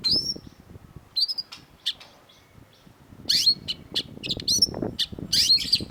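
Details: Long-tailed shrike (cendet) master song used to train cage birds: clusters of piercing high whistles and chips separated by short pauses, over a soft low rumble.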